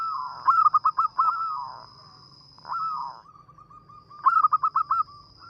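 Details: Singing local zebra dove with a small, sweet voice suited to luring: rapid stuttering coos break into drawn-out purring phrases, the pattern repeating after a pause; steady faint electronic whine throughout.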